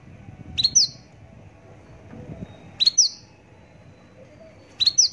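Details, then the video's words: Javan bush lark singing paired high chirps, a short upward note followed by a brighter slurred one, repeated roughly every two seconds with faint low background rumble. "branjangan javanica"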